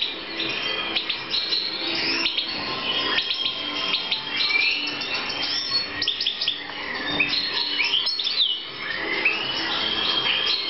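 European goldfinch singing a fast, liquid, twittering song of tinkling notes and buzzy trills, run together almost without pause, sounding as if indoors.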